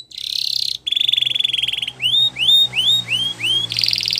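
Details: Canary song, said to be in the wild, offered for training young canaries. A dense buzzy rolled trill gives way to a run of five clear upward-curving whistles, then another rapid rolling trill.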